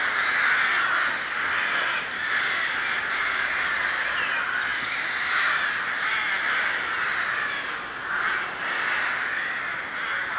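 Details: Rooks (Corvus frugilegus) at Ptačí ostrovy nature monument, Chrudim, Pardubice Region, Czech Republic, on 30 May 2011, in a dense unbroken chorus of harsh, hoarse caws from many birds at once, overlapping with no pauses.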